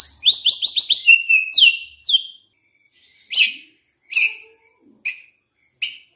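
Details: White-rumped shama song used as a lure to get other shamas singing steadily: a quick run of six sharp rising chirps, a longer slurred whistle, then single bright chip notes spaced about a second apart.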